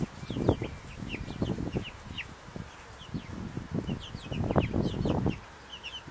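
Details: Four-week-old Buff Brahma chicks peeping: many short, high, downslurred cheeps scattered throughout, over dull scratching and shuffling thuds.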